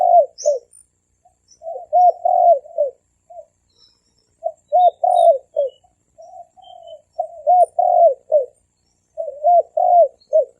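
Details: Thổ kim cooing by a male and female spotted dove, played to lure wild birds: repeated low, soft phrases of short and drawn-out hoots with brief gaps, and faint high tweets in the background.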